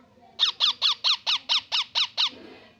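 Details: Baby parrot chirping while eating food: a quick, even run of nine harsh, squawky chirps in about two seconds, then fading into soft background rustle.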